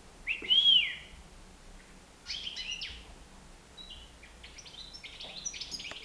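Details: Nine-month-old European goldfinch loose indoors in a living room: a loud arched chirp, then scattered thin, high twittering notes and short buzzy calls over a quiet room hiss.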